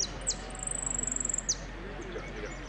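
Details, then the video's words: Competition saffron finch, 'amarillo sin cierre' class, Piran contest of 25/09/16: quick falling high notes open into a fast, thin, level trill lasting about a second, then a final downward note, with murmuring people behind. "amarillo sin cierre concurso Piran"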